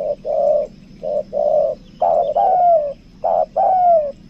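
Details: Spotted dove kept for luring, 'kuk dua' type, repeating paired coos, short then long, the later ones louder with a clear falling glide; low hum and faint background chirps.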